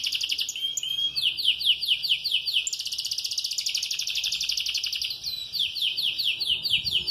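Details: Moulting canary that sings the whole day, pouring out repeated downward-swept chirps, a dense fast trill in the middle, and more rhythmic swept notes, bright and loud throughout.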